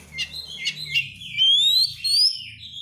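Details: Brief Oriental magpie-robin lure phrase: scratchy chatter leading into two long, pure, rising whistles, over a low background hum.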